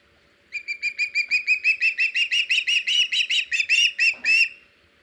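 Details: Osprey filmed by a nest cam on 21 August 2019, around a fish delivery from the male to the female; a rapid run of roughly eighteen shrill, piercing chirps, about three per second, growing slightly louder, with a soft thump near the end.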